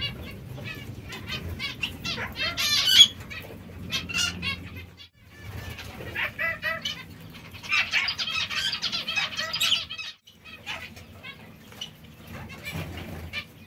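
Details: Several zebra finches feeding on seeds and fresh lettuce give bursts of nasal, buzzy calls in clusters, separated by brief quiet gaps around five and ten seconds, with a low background hum.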